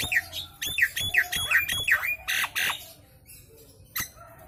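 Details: Nias hill myna lure song, used to get birds responding: rapid rising whistled notes mixed with harsh squawks for about three seconds, then quiet with one last sharp note.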